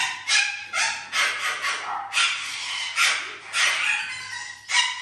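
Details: Parrot kept indoors in a house shared with other exotic animals, giving a run of harsh, bright squawks repeated roughly once a second in uneven bursts, with a low steady hum underneath.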